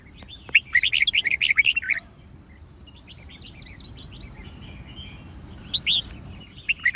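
Red-whiskered bulbul giving quick bursts of bright, warbling notes, a lively phrase, softer chirps, then another rich phrase; faint background hiss.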